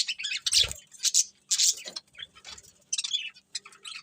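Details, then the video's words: Pet budgerigars singing happily while eating: dense, scratchy chattering chirps and warbles in quick overlapping bursts, with a few soft low thumps in between. "Happy Budgies Singing and Eating | Love Birds Chirping Sounds"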